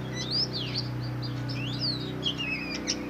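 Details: Oriental magpie-robin singing varied clear whistled phrases, slurred rising and falling notes with short sharp chirps, over a steady low electrical hum.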